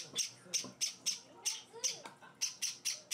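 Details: A Java sparrow chick being hand-fed utters spaced, sharp, hissing begging notes about three per second. A person's low murmuring voice is also heard.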